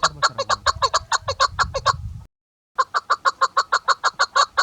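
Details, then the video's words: Calling female chukar partridge, known as chakor or keklik: quick series of harsh clucking chuck notes, about two each second, broken by a short silent gap before the series resumes. "shikari chakor ki awaz keklik sesi"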